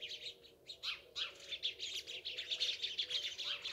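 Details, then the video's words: Sparrows chirp in a busy, overlapping chorus of short, bright cheeps, several per second, with no other clear sounds. "Цвркутање врабаца"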